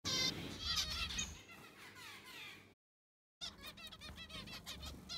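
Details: Zebra finches in an aviary during cleaning with fresh sand: rapid nasal, harmonic chirps from several birds overlap in quick succession, with a brief dropout midway before the busy calling resumes.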